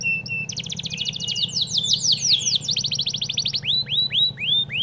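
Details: Canary singing as a training model for White-rumped shamas, fast rattling trills shifting into sweeping slurred notes and ending with spaced rising whistles, over a faint low hum.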